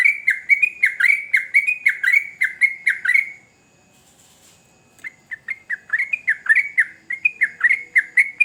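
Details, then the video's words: Lively sooty-headed bulbul song: a three-second run of rapid, bright chirps, a silent break of about a second and a half, then the fast dipping whistled notes resume. "Trucukan Gacor Ngamuk Bikin Candu Semua Burung Trucuk pasti Nyaut"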